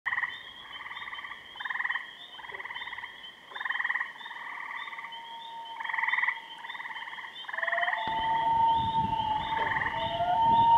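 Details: Common loons at Kennebec: quavering, pulsed tremolo bursts of about a second, repeated many times, then a long steady wailing note rising through the final seconds as a second bird joins.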